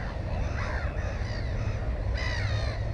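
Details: A black-headed gull at its nest holding one egg and one chick gives harsh, raspy, crow-like calls in two short bursts over a steady low rumble of wind.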